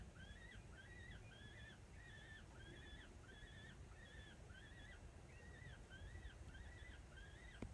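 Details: A peregrine falcon chick, one of two on a ledge high above Cal State LA with a parent nearby, gives about a dozen harsh, slightly rising squawks, roughly one every two-thirds of a second, over a steady low rumble of wind.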